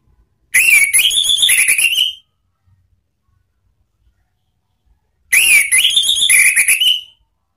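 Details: Ngeplong song of an Orange-headed thrush, used as a lure to train cage birds. Two loud, fluty whistled phrases with quick rippling notes, each ending in a rising whistle and separated by about three seconds of silence.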